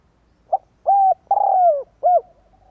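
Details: Spotted dove cooing, a recording played to lure wild doves: one short soft note, then three low, mellow, hollow coos, the middle one longest and sliding down at its end, with a quiet background.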